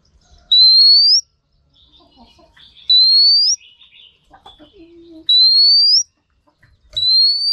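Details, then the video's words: Female Oriental magpie-robin, used to spur males into singing: a clear, rising whistled note about three quarters of a second long, repeated four times at roughly two-second intervals, with faint soft chatter between the notes. "Choè than mái kích trống hay nhất"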